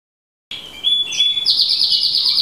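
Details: Llarguet Español canary singing: after a short silence, a high sustained trilled phrase that steadies into a long rapid rolling trill, loud and unbroken.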